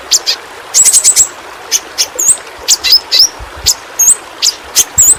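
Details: Yellow-rumped flowerpecker, a small bird endemic to Kalimantan, used for training pet songbirds: clusters of quick, very high ticking chips and flicked notes repeated irregularly, roughly two or three per second.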